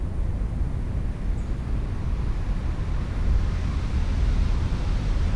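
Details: Steady low rumble of wind and distant traffic, with no animal voice heard.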